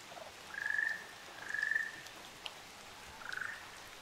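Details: Ryukyu Ruddy Kingfishers, a pair on Amami Oshima, Japan, give three trilled calls in quick succession, the first two louder and evenly pitched, the last softer, with scattered raindrop ticks behind.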